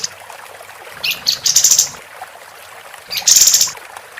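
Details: Female capped white-eye singing actively, recorded as tutor audio for competition birds: two bursts of high, buzzy, rattling notes with bright chirps, separated by a quiet gap and a faint low hum.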